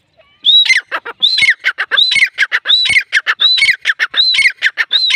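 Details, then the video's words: Loud, harsh calling of a grey francolin: a high whistled upslurred note followed by several rasping clucks, repeated steadily about every 0.75 seconds. "Teetar awaz || gray francolin teetar sound || Teetar ki awaz"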